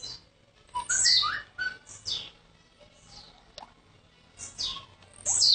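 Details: Young blue-black grassquit from Jacarepaguá, Rio de Janeiro, arrived the day before: thin, high, sharply descending buzzy notes repeated at intervals of about a second, with low background rumble and some faint noise.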